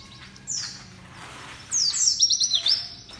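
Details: A white-eye (Zosterops, pleci) gives loud, high, thin, rapid twittering with quick descending slurred notes, one short phrase then a longer tumbling run.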